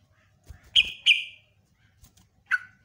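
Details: Sooty-headed bulbul recorded as a lure; two loud ringing notes with drawn-out tails, then a single lower slurred note after a short gap, faint rustling beneath.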